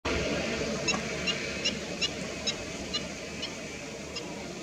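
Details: Black-winged stilt giving a fast series of short, sharp, nasal yapping notes, about two or three each second, over a steady background hiss.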